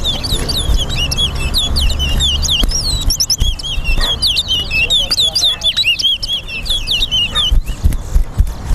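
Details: Towa towa singing in a bird singing race at the Lamaha and Vlissengen Road bird ground in Guyana: rapid series of high, clear whistled slurs, rising and falling, delivered almost without pause, over low crowd murmur and background music.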